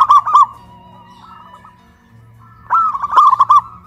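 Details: Local zebra doves from Kuningan, West Java, hoisted high on a pole, singing loudly in a duet of big and crystal voice types. A burst of quick rolling coos opens, then a pause, then a longer bubbling phrase.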